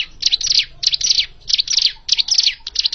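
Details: Hill prinia, calling in a recording used to lure birds for trapping: quick clusters of sharp, twittering chirps with tiny downward slurs, coming in rhythmic bursts about twice a second.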